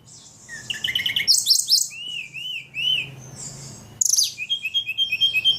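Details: Caged ledekan singing energetically: a varied, high-pitched medley of sharp chirps, arched whistled notes and rapid trills, with a short quiet gap before a burst of fast repeated notes near the end.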